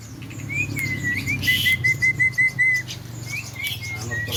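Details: Javan myna, said to talk clearly and be in full voice: a sliding whistle followed by a run of about eight even, clear whistled notes at steady pitch, then softer rising whistles, over low background hum.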